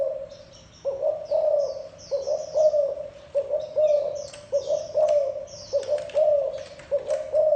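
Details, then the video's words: Spotted dove (thổ đồng) giving gù coos: a drawn-out opening note, then repeated low, hollow double coos close to once a second, with bright twittering from other small birds. "Tiếng chim cu gáy thổ đồng gù cực hay cực chất"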